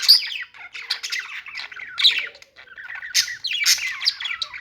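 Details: Budgerigar chatter in short broken phrases: squeaky chirps, buzzy warbles and a few sharp squawks, with brief pauses between bursts.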